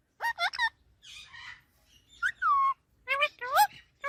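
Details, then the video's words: Parrot giving varied squawks and sliding whistled notes, some rising and some falling, in irregular bursts with brief pauses between them. "Talking Parrot Natural Sounds"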